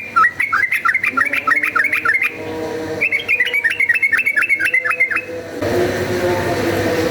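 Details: Yellow-vented bulbul in fighting mood, used as a lure to make other bulbuls fighters: two runs of quick repeated chirpy notes rising and falling, each run lasting about two seconds, followed by a broad rushing noise at the end.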